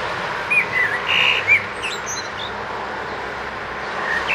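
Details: On 29 March 2014, a Eurasian blackbird sitting in a front garden beside the street sings a brief phrase of clear, mellow whistles that dominates the steady traffic rumble, then falls quiet.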